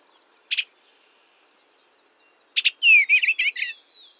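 Eastern Bluebird gives a soft, warbled phrase of quick slurred notes, rising and falling over about a second, after two brief scratchy bursts.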